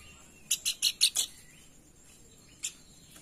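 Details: Pelanduk bukit lure call for stimulating song: five quick, high, scratchy chirps in a short burst, then silence and one isolated chirp, with faint background hiss.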